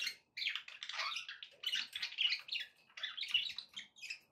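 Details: Pet budgerigars produce continuous grating, buzzy chatter mixed with squeaky chirps, in bursts of about half a second with barely any pause between them.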